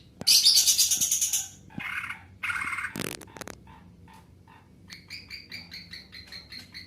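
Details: Greater green leafbird in full lively song with long phrases: a loud, dense, rapid high trill, then harsh buzzy bursts and sharp notes, ending in a quick repeated series of clear whistled double notes, roughly three per second.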